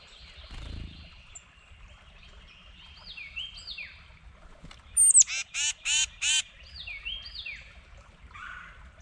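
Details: Red-bellied woodpecker acting territorial: five loud, harsh, rolling nasal calls in a quick row midway, each short and rich, with fainter repeated whistled phrases from another bird before and after.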